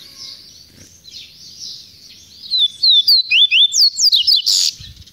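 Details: Double-collared seedeater delivering a fast run of clear, slurred whistles, alternately rising and falling, ending in a brief louder burst, over a background of soft high twittering.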